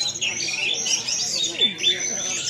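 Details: Orange-headed thrush performing a long, intoxicated-style 'dewa mabuk' song at a singing competition in Ciamis, possibly a master bird for training others: dense, high, rapid chirping and twittering phrases, with music, clapping and crowd voices behind.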